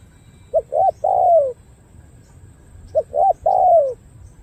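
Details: Spotted dove from Cà Mau, Vietnam, a cooing bird prized for its good song pattern. It gives two three-note coo phrases: two short hooted notes, then a longer note sliding downward, with a quiet pause between phrases.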